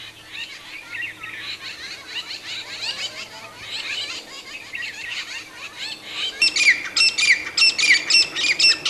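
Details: Grey francolin calling amid a busy chatter of other birds, then breaking into loud, shrill notes repeated roughly every half second for the last few seconds.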